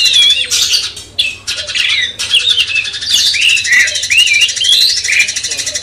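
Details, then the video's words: Sooty-headed bulbul master song used to stir up a magpie-robin: liquid whistled phrases rising and falling, some short slurred notes and chattering bursts, over a constant high-pitched buzzing hiss. "Masteran cucak cungkok bangkitkan emosi kacer"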